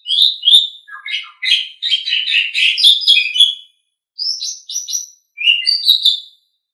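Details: Asian pied starling training song: a fluent opening of rich whistles and rasping chatter, followed by a pause, then short repeated whistled notes and a final slurred phrase, all crisp and clear.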